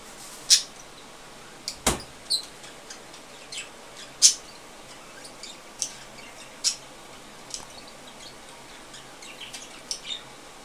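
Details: Budgerigars mating give short, sharp, high chirps at irregular intervals, with one louder click among them.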